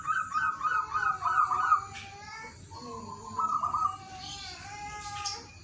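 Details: Local wild zebra dove singing in the morning, used to coax a reluctant dove into song: several rapid, rolling cooing trills, each under a second, with fainter higher chirps from other birds in between.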